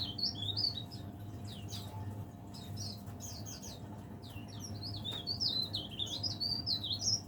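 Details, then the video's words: Caged leaf warbler (burung cikrak daun), said to sing from morning to evening, delivering a lively run of high, quick, twisting whistled notes with steady low hum behind. "burung pare-pare / cikrak daun gacor"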